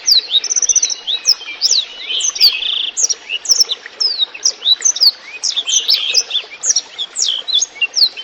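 A Black-throated Canary sings a fast, unbroken stream of high, sweet twitters and trills, with a soft trickle of water underneath.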